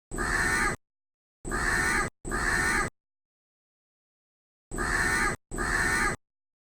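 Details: Harsh, drawn-out caws from a crow in a tree, five calls in loose pairs with brief silent gaps between them.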